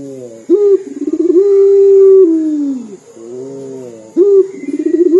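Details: Indonesian local puter dove calling frequently with a crying-like voice: stuttered pulses building into a sustained low hoot that dips downward, then a soft tail before the next stuttering coo starts.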